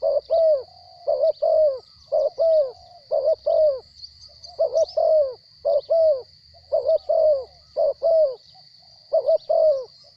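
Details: Captive spotted dove described as having a small voice, giving short coos in pairs and triplets at a mid pitch, each note dipping slightly, in bursts spaced about a second apart, with a steady high whine throughout.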